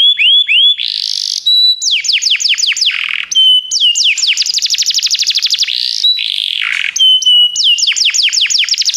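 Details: Pet-stimulating canary song with varied phrases: looping whistled notes, harsh buzzy rolls, clear sustained tones and long rapid trills of sharply falling notes, switching between tours without pause.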